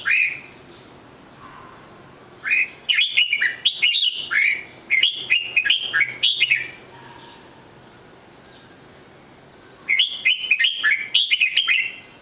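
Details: Red-whiskered bulbul song comes in three bursts of rapid, chirpy, whistled notes, rising and dipping in pitch, with quiet gaps of a few seconds between them.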